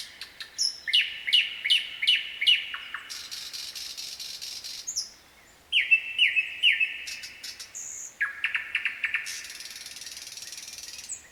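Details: Common nightingale singing at night, varied phrases: runs of rapid repeated piping notes, sharp slurred whistles and dry buzzy rattles, with a brief pause mid-song.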